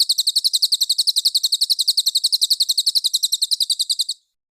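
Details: ['Cililin master song for training competition songbirds such as murai batu and kacer: a rapid, sharp, clear string of high chips, about nine a second, steady and evenly spaced for four seconds, then stopping abruptly.']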